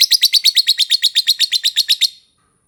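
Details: Lovebird giving a rapid series of about sixteen sharp, high chirps at an even pace over two seconds, then stopping abruptly into silence.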